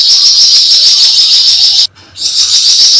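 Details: Javan fulvetta in continuous harsh, rapid chattering, the characteristic buzzing chatter valued for tutoring other songbirds: an intense, high, scratchy stream, cut by one brief gap near the end before continuing.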